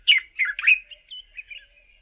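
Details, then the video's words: Male Dark-capped Bulbul singing far-carrying song from the top of a bush in early morning: three loud, bubbly, slurred whistled notes in quick succession, then softer trailing warbles fading out. "DARK-CAPPED BULBUL'S early morning song"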